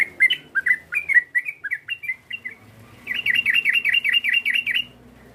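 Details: Provoking call of a yellow-vented bulbul aimed at a rival. Uneven chirpy phrases give way to a fast even series of about nine looping whistled notes, against a faint low hum.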